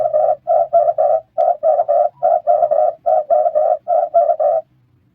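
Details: Red turtle dove, its repeated call serving flock bonding, utters about seventeen short husky coos bunched in clusters of two to four over four and a half seconds, then falls quiet.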